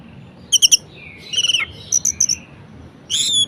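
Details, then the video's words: Caged orange-headed thrush in a varied, lively song played to rouse lazy birds into singing: sharp high chirps, a slurred falling whistle, then bright clipped notes and a final ringing burst, with faint background hiss. "Anis Merah Gacor Variasi Bangkitkan Emosi Anis Malas Bunyi Agar Rajin Berkicau"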